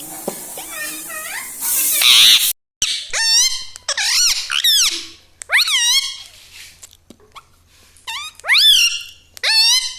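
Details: Pet parrot indoors talking, saying words like "mummy" and "mithu": shrill, squeaky, speech-like phrases with sweeping rising and falling tones, in short bursts separated by pauses.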